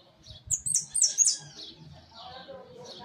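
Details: Caged hooded siskin giving a quick burst of thin, high, buzzy twittering notes for under a second, then fading to softer, lower chatter with faint background murmuring.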